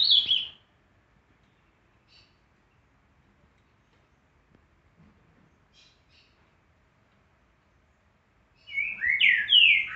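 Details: Green-winged saltator (Saltator similis) singing the "boiadeiro" song type: short, rich whistled phrases separated by a long pause.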